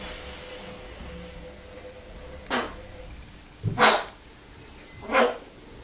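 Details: African Grey Parrot from Devon, England, imitating a dog's bark: three short, harsh, bark-like bursts spaced about a second and a half apart over a quiet indoor background.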